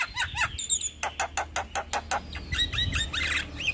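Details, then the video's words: A vocal male Javan myna delivers a long rolling song. Rapid evenly spaced clicking pulses mix with high squeaky whistles and chattering notes at the end, with a low background hum. "Jalak Kebo Jantan gacor Ngeroll Panjang"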